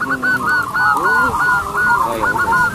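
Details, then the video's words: Local zebra doves, loud lure singers with long crystal-clear voices: a steady stream of bright, looping coos repeats several times a second. A lower rising-falling call cuts in briefly. "PERKUTUT CROSSING GACOR SUARA BESAR"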